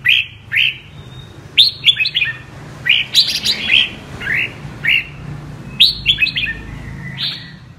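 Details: Double-voice (giọng kép) singing by a red-whiskered bulbul of the apricot (mơ) colour: rising whistled notes delivered singly and in quick groups of two or three, with short pauses between.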